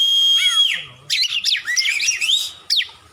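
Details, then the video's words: Kacer, the oriental magpie-robin, singing for a tutoring recording: a long steady high whistle, then a busy run of warbled, sliding notes ending in a sharp downward slur. "Masteran burung Kacer/Klacer gacor dor nembak durasi panjang"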